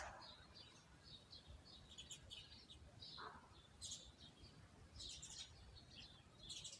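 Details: Birds in a garden among plants and trees, chirping in short high bursts and twittering notes scattered through the clip, several calls overlapping, over a low steady background rumble.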